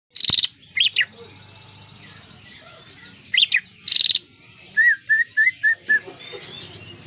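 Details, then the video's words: Greater green leafbird singing with prinia song mixed in: loud buzzy bursts near the start and middle, then a run of six clear whistled notes repeated about every quarter second, with faint background chirps. "cucak ijo gacor isiannya burung prenjak"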